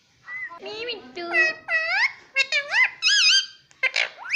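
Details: Pet Indian ringneck parrot talking mummy and papa in Hindi; a continuous chatter of speech-like harmonic syllables, rising and falling in pitch, some bright and shrill, in a small room.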